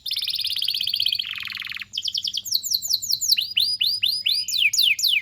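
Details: Song of a canary, recorded as a master for young canaries to learn from: buzzy rolling trills giving way to rapid, repeated downward-curving whistled notes, roughly four per second.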